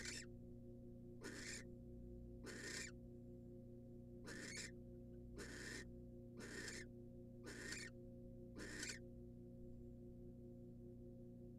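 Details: Female barn owl, wild, in a nest box as the male delivers a rat: a long run of eight noisy, breathy screech-hisses at irregular one-second gaps, with a steady droning hum beneath.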